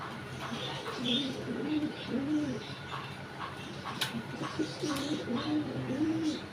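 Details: A pair of caged King pigeons calling as they try to lay eggs, with laying expected very soon. Low, wavering coos run in two repeated bouts, each a string of rolling rising-and-falling notes, over steady background hum and a few clicks.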